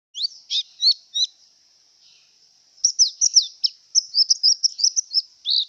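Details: Javan white-eye in breeding condition: a few separate high chirps, a pause, then a fast, tumbling series of thin, high twittering notes, about three per second, ending in a fuller note.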